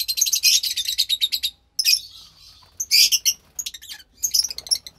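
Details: Two lovebird chicks, offspring of a white pastel violet and a pastel mauve pair, one pastel white and one with greenish feathers, recorded March 3rd, 2021: dense bursts of harsh, raspy chirps in quick runs, pausing briefly, then resuming in scattered clusters.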